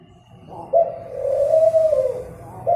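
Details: Dove giving a single long, steady low coo that swells in and holds level for over a second before dipping at the end, with a faint start of another coo at the close.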